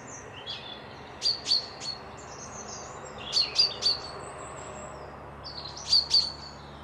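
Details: Birds whistling near a loch at Piperdam, Dundee, during a midweek stay: three groups of quick, high, sharp double and triple whistled notes, each preceded by softer twittering, over a faint low hum.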